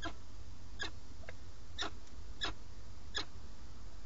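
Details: Nesting peregrine falcon pair in Alcalá de Henares, Madrid, Spain, seen on a live webcam on 8 March 2017 while the male feeds; five sharp bright chips spaced under a second apart, plus a faint softer one, over humming background.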